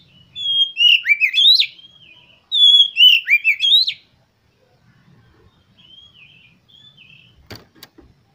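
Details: Oriental magpie-robin song used as a lure to stir kept birds into singing and tail-spreading: two bursts of rich, sliding whistled notes with sharp upswept chirps, then faint soft notes and a brief click.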